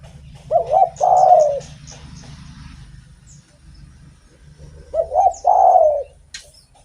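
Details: A spotted dove sings actively, as a lure for other doves. Two phrases about four seconds apart, each short wavering coos leading into a drawn, hoarse, descending note. A low steady hum runs underneath.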